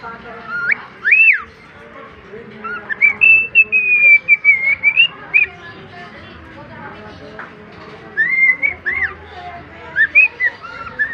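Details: A male pet cockatiel sings his favourite tunes: a run of clear, looping whistles, some rising and falling, with short warbled phrases.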